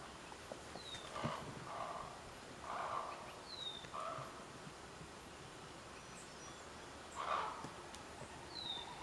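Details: Common raven (Corvus corax) at Outlet Cape, Kodiak, Alaska, giving four loud, harsh, hoarse croaks at uneven intervals, with short, thin, falling whistles from another bird and a steady outdoor hiss.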